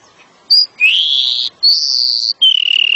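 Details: Male pied bushchat gives four high, drawn-out whistled notes in quick succession, some rising, the last lower and slightly buzzy, over a quiet background; these are long calls luring a female.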